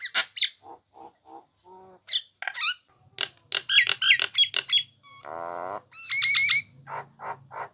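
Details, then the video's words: Varied Nias hill myna vocalizations as a tutor recording for songbirds: short whistles, soft low hollow notes, rapid sharp chips, a long rough nasal squeal, and trilled whistled phrases, over faint low hum. "masteran burung jalak nias"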